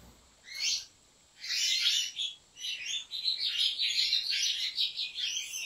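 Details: European goldfinch belonging to a Turkish breeder: a short chirp, a pause, then a burst of fast, metallic twittering that builds into a sustained run of jingling, slightly buzzy notes, over a faint constant high whine.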